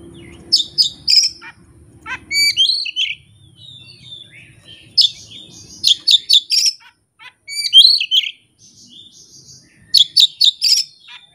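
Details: Oriental magpie-robin showing off its repertoire of learned phrases unprompted by a tutor track or rival bird: repeated volleys of loud, ringing whistled notes and quick chips, interspersed with softer twittering and short pauses.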